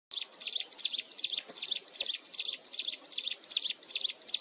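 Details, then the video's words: Mountain wren singing at close range, a continuous shrill song: high, bright two-part notes repeated steadily about two and a half times per second, each with a quick rising and falling sweep, over faint background hiss. "Cận Cảnh Tiếng Hót Liên Hồi Chói Tai Của Chim Hồng Tước Núi"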